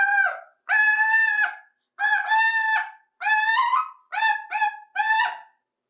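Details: A 28-year-old male African Grey parrot at home, known to say "Hi" in about five voices and to copy a drawn-out "Hi-iiii" from a cockatoo, gives clear, drawn-out, voice-like calls. Long and short calls alternate, seven in all.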